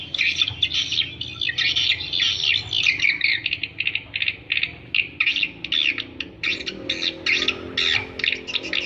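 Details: Swiftlet attraction calls: fast, buzzy chattering twitters, first in a long run, then as a steady series of short rasping pulses, over a faint low hum.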